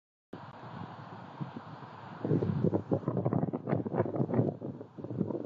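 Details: Wind buffets the microphone, then rustling and knocking build up, with no animal call heard.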